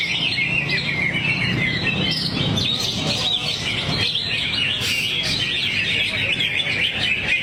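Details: Cucak hijau (greater green leafbird), a kept bird, delivering its varied song material while in a relaxed swaying state: continuous, bright twittering with quick rising and falling whistles over a low hum.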